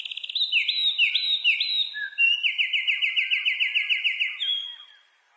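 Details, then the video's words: A wren sings a loud, fast, high-pitched song: a few sliding rising notes, then a rapid trill of repeated chirps around the same pitch, ending with a brief thin whistle; no other sounds. "A Wren's real voice..."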